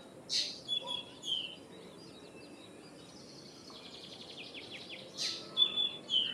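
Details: Common myna chirps and slurred whistles at the start and again near the end, separated by a quieter stretch of faint rapid ticking notes, over steady environmental hiss.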